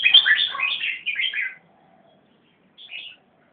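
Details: Greater racket-tailed drongo (Dicrurus paradiseus), song.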